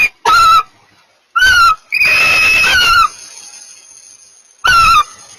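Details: Mating barn owls give short harmonic chirping calls, some gently falling, in irregular bursts with a longer drawn-out note in the middle and quiet pauses between.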